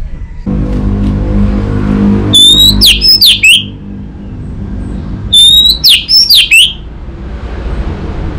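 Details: Caged orange-headed thrush in north Bali, Indonesia, used as a lure for untrained birds: two similar phrases about three seconds apart, each a clear upslurred whistle followed by quick sliding chirps, over steady hum.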